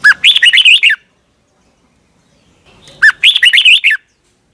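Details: Red-whiskered bulbul from Thailand, a caged songbird, singing a doubled-style song used to teach young birds: two bright, warbled phrases about a second long, each opening with a down-slurred whistle, separated by three seconds of silence.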